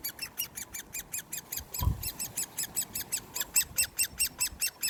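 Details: Hand-fed Great Spotted Woodpecker chick, 1 June 2020, repeating harsh high begging notes in a fast regular series, about four per second, with one brief low knock near the middle.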